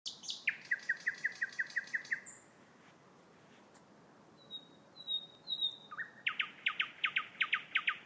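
A thrush nightingale sings loud, rapid strings of repeated clicking notes, about seven per second, broken by a pause with a few thin high whistles before another fast rattling phrase.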